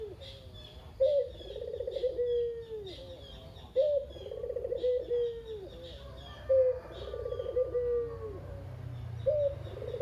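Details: A captive local Barbary dove, the one bird left of a pair, coos steadily in the kugeru style, three to four rolling purrs each opened by a sharp note, while small birds chirp high in the background. The cooing serves to prompt other doves to call.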